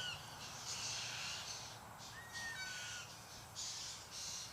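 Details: A large flock of white-winged choughs, about 60 or 70 birds, after eating a kangaroo. Rasping bursts repeat several times, and clear descending whistles slide down between them.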